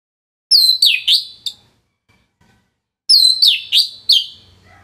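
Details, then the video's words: Orange-headed thrush, a kept bird from northern Bali used to train other songbirds, giving two short bursts of loud descending whistled and scratchy notes, about four notes each, separated by roughly a second and a half of silence. "ANIS MERAH Gacor Suara Rapet Bagus Untuk Memaster Burung Punglor"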